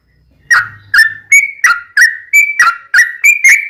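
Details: Yellow-vented bulbul tutor song for home-kept bulbuls, ropelan with ngelituk fill: after a short quiet lead-in, eight crisp whistled notes, alternately level and dipping, about three a second, over a faint low hum.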